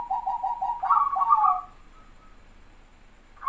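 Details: Pet zebra dove singing in a dense local style used to lure wild doves: a stuttering run of soft coos building into a rippling trilled flourish, then quiet, with the next phrase just starting.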